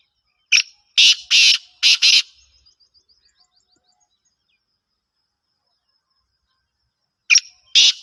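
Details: Black francolin kept in a cage: a rhythmic phrase of sharp click and four harsh rasping bursts, followed by faint fading echoes, then the phrase begins again after a pause of several seconds.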